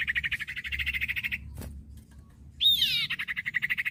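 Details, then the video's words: Common iora vocalising, a tutoring recording for untrained caged birds: a fast buzzy chattering trill, broken by a sharp click and a harsh squawk-like note, then the chattering trill resumes. "masteran burung cipoh bahan II masteran cipoh sirtu bahan"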